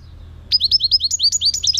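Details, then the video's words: European goldfinch, 2018: a brisk, continuous string of high, bright, upward-flicking twittering notes, about a dozen in just over a second, loud and clear against a quiet background. "chant chardonneret 2018"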